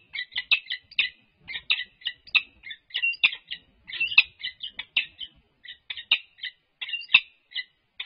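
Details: Peregrine falcons, a resident wild pair on the UC Berkeley campus, California, performing a courtship display on March 21, 2022, captured by livestream. Harsh, raspy notes come in irregular clusters, with a few louder, emphatic calls midway.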